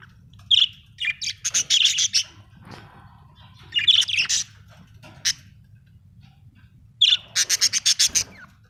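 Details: Happy budgerigar chirping in bright, rapid bursts of short high notes, three clusters of quick repeated chips separated by brief pauses, with a faint low hum underneath.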